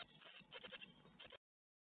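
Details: Brood of great tit nestlings in Ostwald, recorded by nest webcam on 12 May 2021 as a spider is brought in; a brief burst of harsh, high, overlapping begging chirps, then abrupt silence.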